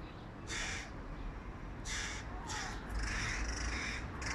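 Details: Hooded crow fledgling, one of three, begging loudly from a tree beside its mother while its first-time father feeds a sibling fish; harsh, drawn-out caws with broad rasping texture, several overlapping in quick succession over a low background rumble.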